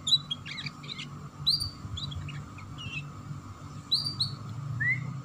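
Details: Canary giving 'ngeriwik' chirping, used as a lure to make young canaries start singing quickly: scattered short, sharp chirps and downslurred high notes in loose bursts, with a steady faint electrical hum and low rumbling background noise.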